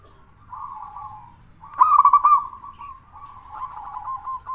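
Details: Local zebra dove with a big voice, an active singer played to draw song from quiet doves. A soft coo precedes a loud, rapid bubbling trill, then quieter rolling notes and a stuttering final phrase.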